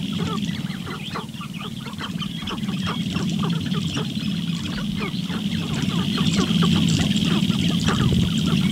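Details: Sharp-tailed grouse at a lek in the morning, where a female visits seeking a mate while males display intensely; dense rapid clicks, cackles and short calls repeat several times per second over a steady low hum, with higher notes near the top.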